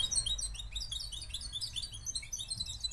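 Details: Rapid, high, tinkling twitter from a Moroccan goldfinch, a continuous jumble of short bright notes lasting about three seconds above faint low background hum.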